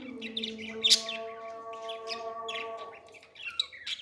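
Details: Parrot chick begging while fed: one sharp high squeak followed by busy scratchy twitters, with long smooth background tones throughout.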